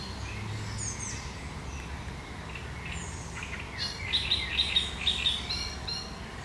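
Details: Great reed warbler singing its sharp, chattering song on 1 July 2020: scattered harsh notes, then a burst of rapid repeated chirps near the end, over steady low rumble.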